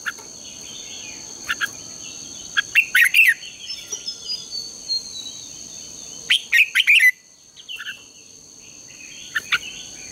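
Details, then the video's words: Red-whiskered bulbul morning contest singing, played as a lure for training: two bursts of rapid bubbly warbling about four seconds apart, with faint chirps between and a steady high-pitched drone. "Luyện chào mào hót sáng | chào mào hót đấu"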